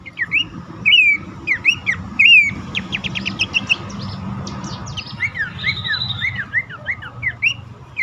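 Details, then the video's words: Calling Abbott's babbler, played to coax caged birds that will not sing. Bright looping whistles, a burst of rapid sharp ticks, then repeated downslurred chirps about once a second, over a noisy low background. "pelanduk semak ngecall pancingan ampuh burung bahan,macet,stress,susah bunyi agar cepat ngeplong"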